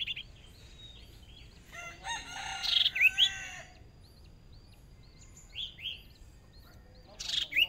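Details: Caged Hwamei decoy bird, newly brought out, sparring for the first time in a small cage in a fierce contest: bright rising whistled slurs between harsh, noisy bursts, with a low harmonic crow-like stack behind.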